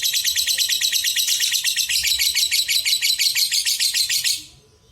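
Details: Lovebird singing its prolonged untulan, used to stir lazy lovebirds into song: rapid raspy chattering notes in a steady pulsing rhythm, ending abruptly into silence.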